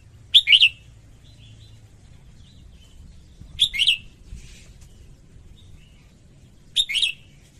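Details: Singing female red-whiskered bulbul, her song meant to excite males: three brief, sharp warbling bursts roughly every three seconds, each a quick up-and-down flourish, with soft chirps and low background rumble.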